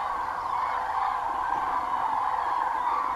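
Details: A large flock of cranes flying over the Doñana marshes to roost for the night calls in a steady, dense chorus of overlapping trumpeting, bugling notes, with no breaks or single voice standing out.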